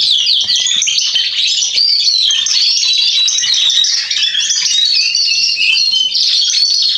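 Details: Atlantic canary male in song, dated 27.10.2020: continuous high-pitched chattering warble of quick slurred notes and rolling trills, with bright piercing whistles sprinkled through, over a faint background hum.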